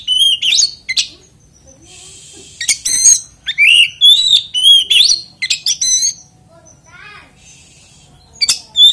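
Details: Oriental magpie-robin song used as a lure to make other magpie-robins sing: loud bursts of varied whistled notes and buzzy chatters, high and sweeping, in rapid phrases separated by short pauses.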